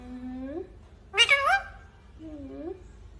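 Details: Pet parrot talking: two drawn-out, voice-like tones that rise at the end, with a short, louder, harsh burst between them, in a quiet indoor setting.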